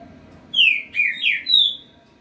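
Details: Double-collared seedeater (Sporophila caerulescens), about 3 to 4 years old, firm singer that doesn't miss notes, sings a quick phrase of four clear slurred whistles rising and falling, facing another singer, over a faint hum.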